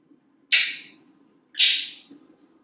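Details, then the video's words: African Grey Parrot in a Texas home kitchen, perched on the faucet; two harsh, noisy squawks about a second apart, each fading quickly, with low room hum behind. "Einstein resolves to talk more in 2020"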